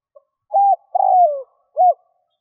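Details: Spotted dove luring call for wild doves. One clear three-part coo: a short arched note, a longer falling note and a final rounded note, mellow and low.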